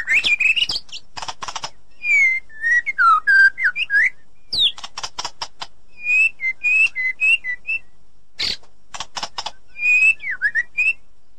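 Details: Loud white-rumped shama in the forest. Clear whistled phrases, some sustained and others swooping, mix with dry, scratchy chatter bursts. Short runs of varied notes are separated by brief gaps.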